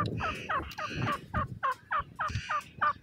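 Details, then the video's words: Grey francolin, known locally as Gora Teetar, calling. Loud, harmonic notes with a slight upward inflection come in a quick series, roughly two to three per second, over a low background rumble. "The Lovely Voice of the Francolin Bird,Gora Teetar Ki Awaz"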